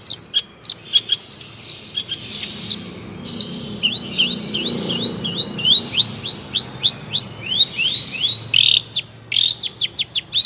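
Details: Long-tailed shrike training song for caged birds: a long, busy stream of high, varied notes, with dense chattering at first, then a fast regular series of upward-sweeping chirps repeated several times a second.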